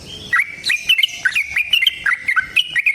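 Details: Yellow-vented bulbul's long rapid fighting song, used as a lure to make other bulbuls answer: bright whistled notes near two to four kilohertz, dipping and rising in quick linked phrases, busy and continuous.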